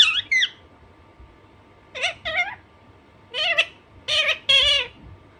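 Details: Alexandrine parakeet kept as a pet making loud, grating squawks in short bursts: two quick calls at the start, a pair near two seconds, then a run of three or four harsh nasal calls toward the end, over faint room hum.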